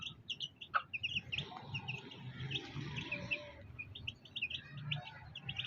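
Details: Black hen and her fighter chicks; clusters of high, sharp chick peeps recur across the clip, with one louder downward chirp early and a steady low hum beneath.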